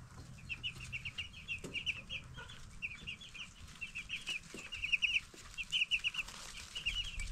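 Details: A flock of broiler chicks, 10 days old, piping loudly in rapid bursts of sharp, high cheeps, some notes louder and clipped, with faint knocks and a low hum behind.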